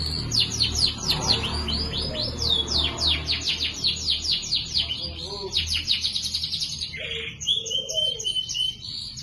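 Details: Singing canary with an ornate chirping style, meant for tutoring other songbirds: fast runs of high downward-sweeping notes repeated in bursts, a stretch of rapid trilling, then a thin sustained whistle with softer low warbles beneath, low background hum throughout.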